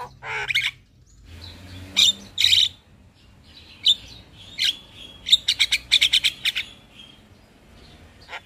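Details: Song of the black-winged starling used to stimulate stressed captive birds: harsh rasping bursts, short whistles and a quick cluster of clipped chattering notes, separated by pauses.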